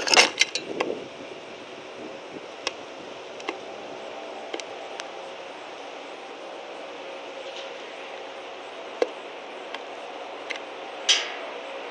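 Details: Steady outdoor background hum with scattered clicks and knocks and a couple of brief rustling bursts; no clear animal calls.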